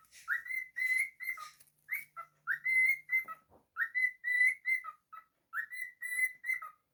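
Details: Domestic cockatiel singing a whistled tune: a repeated phrase of upward-swooping whistles, sustained high notes and a falling final note, delivered about four times in a row with brief gaps and a faint low hum behind.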